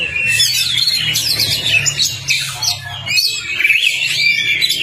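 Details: Kacer, the Oriental magpie-robin, in a tutor recording meant to set off a stalled bird: bright whistled phrases sweeping up and down, mixed with chirps, above a constant low droning hum.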